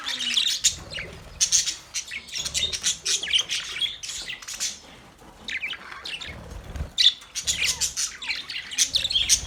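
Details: Male budgies chatter continuously: dense, high, squeaky chirps and warbles tumbling over one another with brief pauses.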